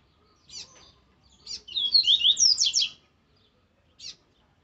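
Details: Caged rusty-collared seedeater (coleiro laranjeira) singing a strong, aggressive song used for training: a rapid phrase of sharp, high whistled notes lasting about a second, framed by a few short buzzy chips before and after.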